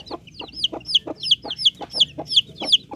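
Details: Bangkok chicken chicks peeping: a regular run of high, thin cheeping notes, each sliding down, about three per second.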